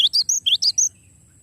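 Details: Long rolling song of a cinereous tit for tutoring songbirds: a fast run of six sharp, high notes, slurred whistles and thin chips alternating, ending abruptly, then quiet hum.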